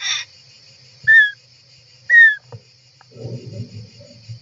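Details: Inside a European roller nest on July 18, 2024: two clear, downward-slurred whistled calls about a second apart, followed by soft rustling and low thumps of movement.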